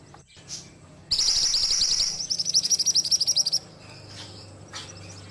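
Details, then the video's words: Ashy tailorbird song in a fast high trill of about a dozen sharp repeated notes over roughly two and a half seconds, louder at first and then in evenly pulsed bursts, with soft background noise between. "Masteran Burung Mantenan Gacor"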